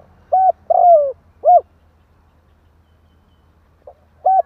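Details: Spotted dove song used to rouse wild doves: one full phrase of a clipped coo, a drawn-out downslurred coo and a short closing note, then silence before the next phrase begins.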